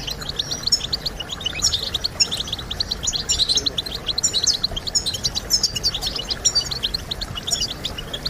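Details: European goldfinch song used to encourage birds to sing: dense, continuous high twittering and tinkling trills with quick chirps overlapping throughout, over a steady low background hiss.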